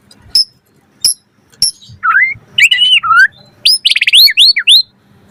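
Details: White-rumped shama pouring out varied song to coax others to reply: a few isolated high ticks, then looping whistled slurs rising and falling, and a fast stuttered series of rich notes near the end.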